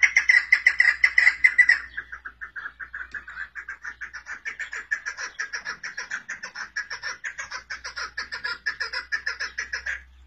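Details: Rapid, loud clucking from a female chukar partridge opens strongly, then settles into a long, fast, rhythmic series of harsh chuck notes, somewhat uneven in spacing, held for about ten seconds.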